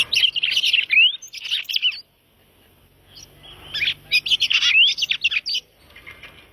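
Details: {'caption': 'Red-crested cardinal song: bursts of rapid chirping notes with rising whistled slurs, two phrases separated by a short pause.'}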